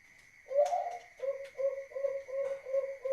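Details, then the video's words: Zebra dove of the competition-class Bangkok line, from Wajo Sengkang, South Sulawesi, with a deep, thick voice. One drawn-out low coo is followed by a quick series of short, even coos over a steady background hum. "SUARA TEBAL PERKUTUT BANGKOK TRAH LOMBA"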